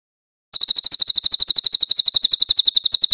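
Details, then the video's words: {'text': 'Cililin song used as master training material for magpie-robins: a rapid, even run of sharp, very high chirps, about four per second, sustained for roughly two and a half seconds after a brief silence, with no other sounds.'} "Masteran cililin Suara jernih cocok buat muray"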